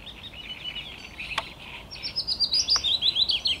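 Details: Willow warbler recorded on 17 May 2021, the latter half bringing a quick run of bright, thin notes that step gently downward, preceded by softer, blurred warbling and a couple of sharp clicks.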